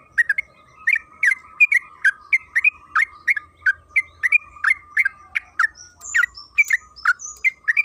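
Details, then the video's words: Continuous bubbling song of a sooty-headed bulbul, played to make other birds sing; quick repeated chirps roughly three per second, with a few higher thin notes near the end. "Pancingan trucukan agar bunyi‼️Suara burung TRUCUKAN KEBO Gacor ropel Panjang"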